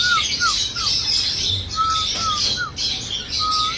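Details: Series of falling whistled slurs and level whistles from a singing cockatiel, spaced about half a second apart, amid steady high chirping of many other birds.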